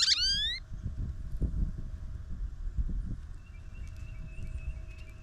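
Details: Goldfinch at a feeder cam on a snowy morning. A loud, slurred rising call opens the recording, followed by low rumbling noise and, later, a faint steady high tone.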